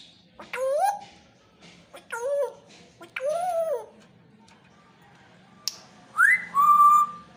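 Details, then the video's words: Pet talking parrot giving three loud, harmonic, voice-like calls that rise then fall in pitch about a second apart, then a sharp click and two bright whistled notes, the last held steady and level; quiet room otherwise. "the talking Parrot"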